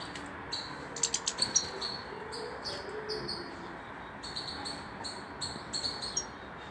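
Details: Female European goldfinch of the parva form with a white chin, resting after moult, in late October; high twittering phrases with short buzzy notes and clicks in scattered bursts over steady low background hiss.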